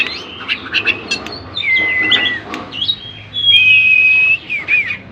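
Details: Oriental magpie-robin in full song, used to provoke other magpie-robins into singing. Pure high whistles, some long and level and others slurred, alternate with quick chirps over faint music in the background.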